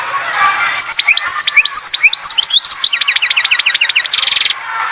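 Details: A European goldfinch sings at Oued Zhour, Skikda: scattered high tinkling chirps speed up into a repeated series of downslurred notes, then end in a short buzzy trill, over a faint background hum.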